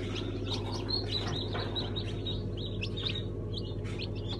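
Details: Newly hatched chicks of several breeds, including Brahma, Sultan, İspenç and Araucana, hatched on 1 September 2019; rapid high peeps repeated about two or three times a second over a steady low hum.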